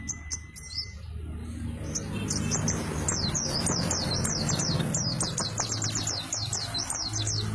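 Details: White-eye of the dakun kelud type in rolling song: rapid series of high, sharply falling chirps repeated several times a second over about five seconds, with a low steady hum underneath and a brief tone at the start.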